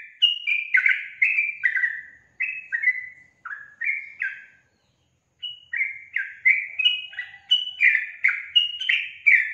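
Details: Sooty-headed bulbul, known as trucukan, delivering an energetic gacor song of short, bright, downslurred whistles, about one note each second, broken by a pause of roughly one second.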